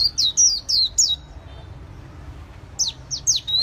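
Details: White-eye singing in the líu xòe style for a bird artisan: four quick, high, slurred chirps, about one and a half seconds of quiet, then several more bright notes.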